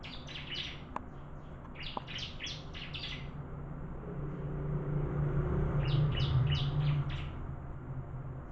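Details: Bar-winged prinia singing in a song contest; high, quick clusters of four to five sharp chirped notes, repeated in bursts with pauses, over a steady low rumble of engine-like noise.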